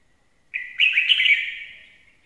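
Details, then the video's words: Singing red-whiskered bulbul, a good lure bird, delivering a single full, slurred warble lasting over a second. It starts abruptly and tails off softly, with nothing else heard. "Chào mào hót hay - mồi chuẩn"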